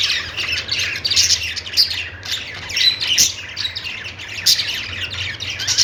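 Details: Several budgerigars twittering continuously, high squeaky notes and quick warbled chirps with a few sharp clicks, a low background hum throughout.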